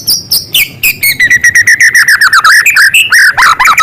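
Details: Singing white-rumped shama using small-bird imitation material, pouring out a rapid series of about twenty short clipped chirps at an even pace, ending with a few swooping whistled notes.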